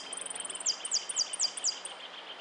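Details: European goldfinch singing in the Copa Federación competition on 3 March 2013, a 'repique' phrase: a rapid, very high, even trill of about a dozen notes, then five quick descending slurred notes at roughly quarter-second intervals, over a faint steady hum.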